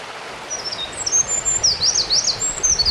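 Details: Eurasian wren singing along a forest road in Ura-Takao, Japan: a rapid, high, tinkling run of thin whistled notes and trills, with steady background noise.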